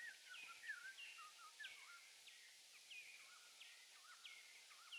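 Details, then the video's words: Eurasian blackcap (Sylvia atricapilla) giving a quiet, chattering warble of quick slurred notes, some rising and some dropping, running without pause over a steady background hiss. "The Chatty BlackCap"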